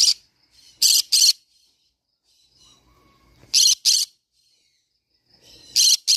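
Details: Harsh doubled shrieks from a green-cheeked conure parrot, three loud rough pairs a few seconds apart, broken by quiet stretches with faint chatter.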